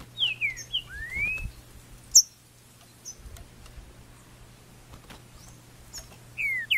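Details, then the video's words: Green-winged saltator in the wild after moult, May 2019: a short phrase of slurred whistles falling then rising, a few high chips, a quiet gap, then another falling whistle, with a low steady hum behind. "Melhor ESQUENTA Trinca Ferro é o do MATO!!"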